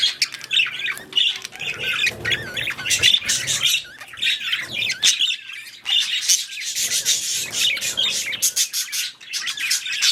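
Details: Budgies or parakeets at mating and breeding time keep up a dense stream of high chirps, squeaky warbles and sharp clicking notes, with short pauses between bursts.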